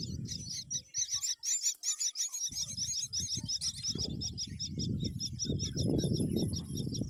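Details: Dense, rapid high chirping and squeaky notes from mynas, a mother feeding a green worm to her babies, many overlapping, over low rumbling noise and handling thumps.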